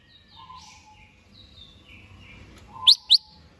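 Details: Greater green leafbird kept in a cage and prepared for a singing contest: soft drawn-out whistled phrases, then two loud, sharp upward-sweeping notes in quick succession near the end.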